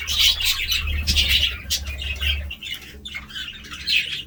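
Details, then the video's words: Budgerigars give squawky chirps and warbled bursts in uneven clusters, with a low rumbling hum in the first half. "budgie sounds"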